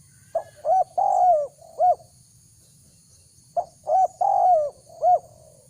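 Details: Wild-dove lure call of a spotted dove, repeated twice: each phrase starts with a short clipped note, then two quick coos, a loud drawn-out downslurred coo and a short closing coo. Still background with faint low hum.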